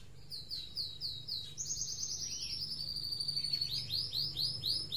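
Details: Post-moult white-rumped shama, set out in morning sun: fast, evenly repeated sweeping high whistles, a run of rapid rolling notes, then the sweeping series resumes, with thin high notes above.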